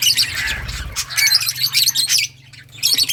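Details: Lovebirds of several colour mutations chirp in a dense run of sharp, scratchy high notes and squawks. They pause briefly, then resume, with a constant low electrical-sounding hum beneath.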